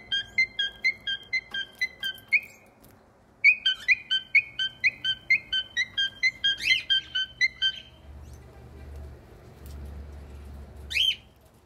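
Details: Pet cockatiel whistling a tune: quick repeated short notes in a bouncing pattern, a pause, then another rapid run of the same phrase, ending with a single sharp squeak after a quieter stretch.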